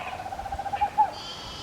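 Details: Tropical screech owl at twilight or night giving its soft, low-pitched fluted trill of quick, evenly pulsed hoots that ends with a couple of slightly stronger notes.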